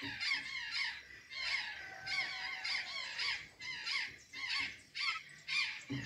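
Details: Azure jays eating banana and sweet potatoes in Santa Catarina, Brazil. Strident, squeaky calls come in a steady rhythm of about two per second, several birds overlapping.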